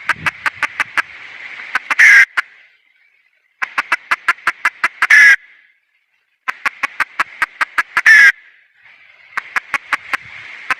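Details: Wild female junglefowl calling: rapid runs of sharp, evenly spaced clucks, about ten per run, each run ending in a louder, harsher cackling burst. The pattern repeats every three seconds or so, with short silences between.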